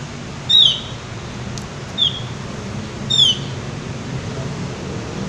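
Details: Javan white-eye, gacor ngeplong style: three separate short, high, downslurred whistles spaced more than a second apart, against a faint steady hum.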